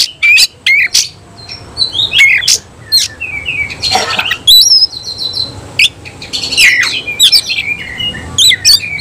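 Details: Cage-kept oriental magpie-robin with spread tail delivering scattered loud clicks and sharp ticks mixed with short whistled slurs and twittering phrases, irregularly spaced over a low background hum.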